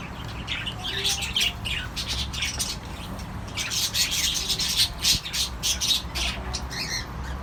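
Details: Cockatiels during mating give rapid, raspy squawks and chattering calls in quick, uneven bursts.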